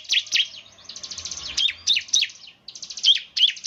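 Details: Bar-winged prinias singing semi-gacor, a style said to make others call back: rapid, overlapping high chirps and slurred twitters packed closely together, with brief pauses between busy runs.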